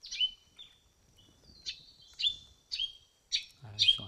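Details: New Caledonian friarbird calling in the Parc de la Rivière Bleue while a guide describes the park's birds: a series of about seven short, bright, slightly falling whistled notes spaced roughly half a second apart, with a man's voice starting at the end.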